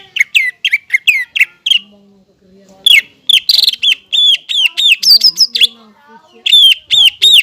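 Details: Greater green leafbird, a chattering 'gacor' songster used to coax untrained birds into singing: loud, rapid series of hooked, whistled notes around the same pitch, repeated several per second in bursts, with a short pause midway and faint lower tones.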